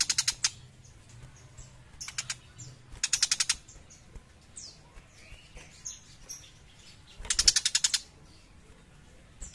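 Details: A young Tiger Shrike sings in bursts of rapid, harsh chattering notes, high and scratchy, with thin whistles and squeaks between the rattling phrases.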